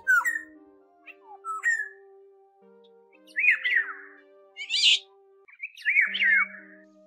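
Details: Oriole lure recording used to net migrating flocks in August, birds said to migrate from China to Vietnam: short fluty whistles bending downward, then harsher nasal squawking bursts in groups of two or three, over a steady low humming tone.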